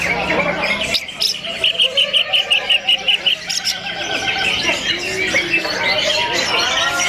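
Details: Caged cucak ijo singing in a simulated songbird competition with many birds present: dense, busy song with a run of rapid repeated sharp notes, then tangled chattering and squawky phrases over steady background noise.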